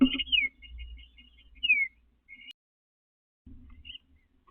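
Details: Male eastern bluebird in a backyard during nesting season, 29 April 2025, gathering pine straw from flower beds for a nest: clear whistled downslurred notes, a short series of soft chirps, then another slurred whistle, separated by quiet gaps.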